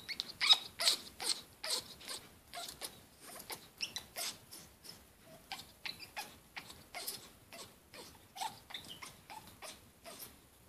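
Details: Congo African grey parrot kept as a pet and in heat makes a long run of rapid, uneven clicking and ticking pulses, roughly 160 a minute, with a few brief squeaky notes, in a quiet room.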